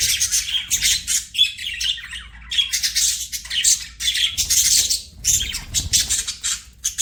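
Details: Budgies chirping in quick, rough, squawky phrases mixed with a few clearer whistled chirps, coming in short bursts with small gaps, faint low hum behind.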